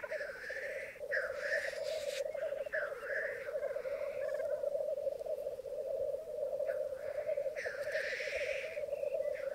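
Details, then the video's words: Morning lek of black grouse on a Mykland bog, May 2022, with twelve males and two females; continuous murmuring bubbling fills the clip, harsh rushing hisses mostly at the start and again near the end. "Orreleik i Mykland, mai 2022"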